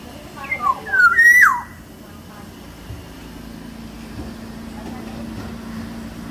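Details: Large-bodied Sumbawa black-naped oriole gives one brief, fluty whistled phrase of a few sliding notes, then stops; a steady low engine-like hum continues throughout.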